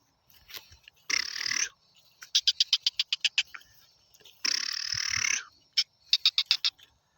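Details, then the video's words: Black francolin (kala teetar) giving two harsh, grating bursts, each followed by a quick run of sharp, clicking notes at about eight a second, repeated twice. "Kala Teetar Ki Awaz|Black francolin Sound"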